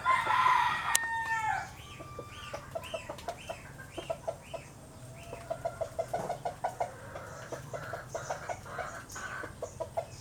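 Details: Asian glossy starling (Galansiyang), a wild bird of the Philippines: short arched whistled notes repeated about twice a second, mixed with sharp clicking ticks, after a louder burst of chatter at the start.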